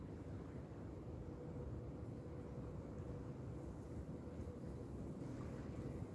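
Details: Deep outdoor rumble of wind in reeds with a faint steady drone, and no animal calls.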